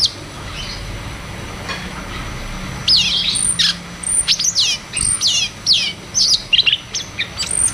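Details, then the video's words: Cucak cungkok in ngeroll tembak style, a lure for caged birds that stopped singing. Near silence for about three seconds, then loud downslurred whistles and sharp chirps in rapid bursts. "Cucak cungkok Ngeroll tembak"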